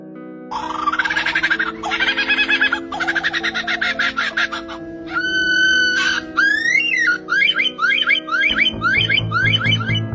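A lyrebird runs through varied calls: harsh buzzy bursts, a clear whistled note, then quick rising-and-falling chirps, all over a steady droning music bed.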